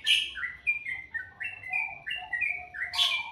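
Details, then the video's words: Bird singing in the morning: a rapid series of clear whistled notes, each sliding slightly downward, stepping between higher and lower pitches, with sharp bright chips at start and end. "Suara burung dipagi hari sangat merdu"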